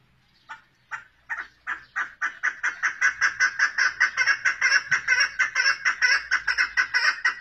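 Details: A female chukar partridge gives a call that starts with a few spaced, hoarse chuck notes, then speeds up into a loud, steady, rapid chattering series of harsh clucks that continues to the end.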